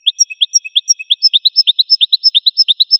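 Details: Goldfinch singing: a rapid run of sharp, high chirped notes in pairs, bright twittering phrases repeated steadily, clean background with no other sounds.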